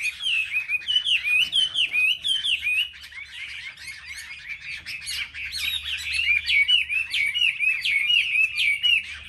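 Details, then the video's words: Chinese hwamei, selected caged market birds singing competitively: a dense, continuous stream of bright whistled notes and slurred trills, rapidly repeated and overlapping, growing busier toward the end, with a faint low hum. "Họa mi hót đấu"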